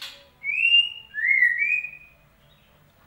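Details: White-rumped shama song used as a lure to prompt a bird that has stopped singing: two long clear whistles, the first level and high, the second rising then held, followed by silence.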